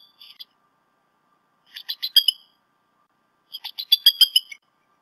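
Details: A bald eagle pair shares the Decorah North nest on 28 February 2016 in late morning to early afternoon, the male delivering a fish to the female. Loud, high, staccato chittering comes in three rapid bursts of piercing squeaky notes, caught on a nest camera.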